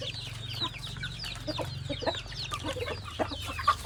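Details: Flock of chickens while feeding: dense, overlapping short clucks and chirps from many birds, with a steady low hum underneath.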